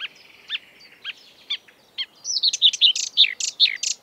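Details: Mimicking marsh warbler singing in the breeding season. Spaced, clipped descending notes give way to a dense, rapid burst of bright, buzzy and whistled phrases. Quiet background.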